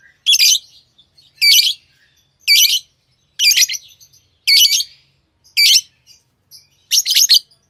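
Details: Pet lovebirds repeat a sharp, harsh, screechy chirp about once a second, steady and evenly spaced, ending with a rapid stuttering burst.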